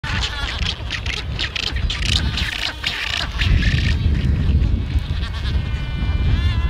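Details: Black-browed albatrosses at a large colony on Steeple Jason Island, Falklands, fill the air with harsh, braying, bleat-like calls from many birds at once, over a steady low rumble of wind or surf.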